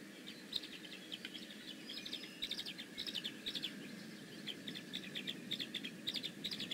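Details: Bald eagle at its Decorah North nest, 15 May 2017: high, piping chirps repeated in irregular clusters, growing busier through the second half, with a soft steady hum and low background rumble.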